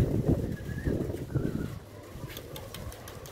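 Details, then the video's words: A pigeon gives low, throaty coos in soft bursts over the first second and a half, then fades into a faint background hum. "the sound of pigeon"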